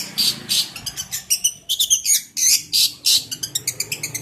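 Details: Jentet bird singing a fast, busy chatter of high, sharp chirps and squeaky notes, loud and close, over a faint low room hum.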